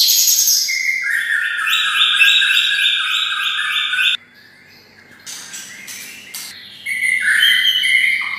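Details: Bulbul-style singing from a white-rumped shama kept beside red-whiskered bulbuls. A fast, evenly repeated series of paired whistled notes gives way to a quieter pause, then a warbled phrase resumes.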